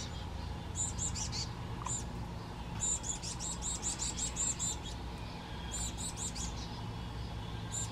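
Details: Black-capped chickadee with a fledgling in the San Juan Islands on 8 June 2024, giving high, thin, buzzy calls in quick clusters of three to six notes, pausing between bursts, over a steady low rumble of wind.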